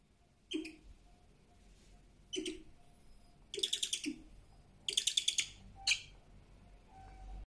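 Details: A young captive brown wood owl at a rescue centre, still learning to be an owl, gives harsh, hissing chirps in short bursts, some running four or five notes together, with quiet pauses between.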